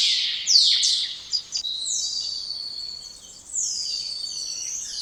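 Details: Spotless starling delivering high whistles: an opening burst of scratchy notes, then long, level or gently falling whistles, one after another, with a short pause midway.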